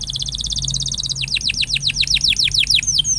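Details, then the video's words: A canary sings to encourage a quiet canary to start singing: a quick pulsed trill followed by a steady run of high descending swept whistles repeated several times a second, with a low hum underneath. "paling jitu memancing kenari macet jadi lebih rajin bunyi ( pancingan kenari)"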